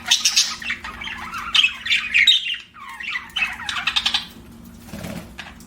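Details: Budgerigar chatter, rapid squeaky warbles and thin whistled notes in uneven bursts, a short quiet gap midway, then softer chirps and a low rustle at the end.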